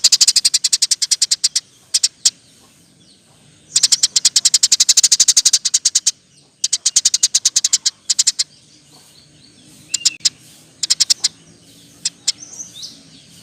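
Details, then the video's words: Eurasian tree sparrow rolling its lively 'roll tembak' chatter, recorded as a master for training songbirds; very fast, tightly packed runs of high chirps that thin out toward the end into scattered single notes. "Burung gereja gacor. Roll tembak pas untuk masteran"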